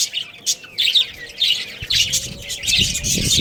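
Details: Baby chickens at play and feeding: shrill, high peeps tumble over one another in quick overlapping bursts, with soft scratching and rustling underneath toward the end.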